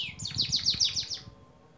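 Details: Brief canary phrase from a long training recording for songbirds, a quick run of about seven high falling notes in under a second and a half, fading out.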